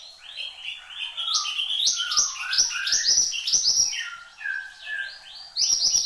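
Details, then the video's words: Horsfield's babbler, called mantenan gunung, in lively, nearly continuous song: a varied chain of upswept and falling whistles mixed with short chirps, a few lower slurred notes, and a loud high burst at the end. "SUARA BURUNG MANTENAN GUNUNG GACOR"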